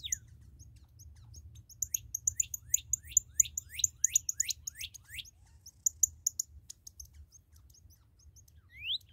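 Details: Newly captured red cardinal giving a fast series of about fifteen loud, slurred whistles, each sweeping through the mid-high range, repeated roughly four times a second before pausing; high thin chirps from other birds overlay it, with a low background rumble.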